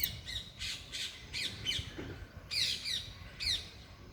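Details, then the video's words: Parrots calling loudly in the open: harsh, high-pitched squawks spaced irregularly, some rising then falling, with brief gaps of quiet between bursts. "loud parrots chirping/Natural parrot sounds/parrot calling sounds"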